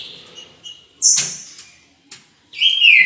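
A Green-winged saltator gives a loud, clear whistled phrase that slurs downward, after a sharp high chip and a brief clatter.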